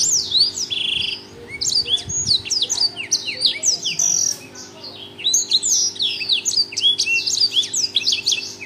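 A Black-throated Canary sings a fast, unbroken stream of high, sweet chirps and quick trills with few pauses, over a low steady hum.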